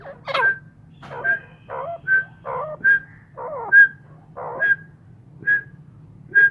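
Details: Kept grey francolins, called Irani teetar, calling at home: a sharp whistled note near the same pitch about every 0.8 seconds, each preceded by rougher lower chatter, over a steady low hum.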